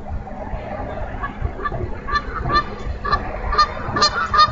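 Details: Bald eagle at a nest in Minnesota on 16 April 2013, 10:51 am, caught by a nest camera while the female feeds during hatching; short high chirping notes repeat in a loose series, growing stronger toward the end over steady wind-like rumble.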